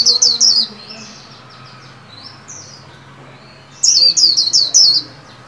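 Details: White-eye in a cage, trained to sing the 'líu' song for the new year: clusters of shrill, descending whistled notes open and close the recording, with softer high twitters in between and a faint low hum.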